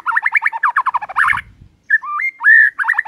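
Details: White-rumped shama in the morning, singing to rile rivals: a rapid stream of warbled whistled notes, a short pause, then clear upslurred and level whistles leading into more quick warbling.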